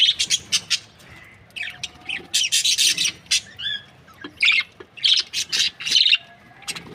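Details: Budgerigar breeding pairs chirp and squawk in loud harsh bursts, opening with quick chirps, then a dense grating chatter, with scattered squeaky notes following.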